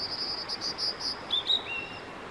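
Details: Singing male Blue-and-white flycatcher: a fast series of about seven high buzzy repeated notes, then two short whistles and a lower drawn-out whistled ending, amid faint outdoor hiss.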